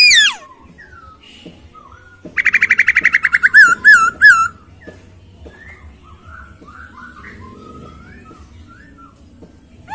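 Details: Masked laughingthrush giving a short burst of rapid repeated notes running into wavy whistled phrases, with quiet stretches of faint chirps before and after.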